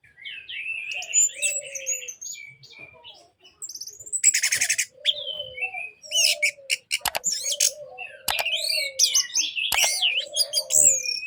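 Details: Orange-headed thrush song for silent-bird therapy, quieter and more distant, with a continuous jumble of varied whistles, buzzy notes and sharp clicks, plus a recurring lower whistled phrase.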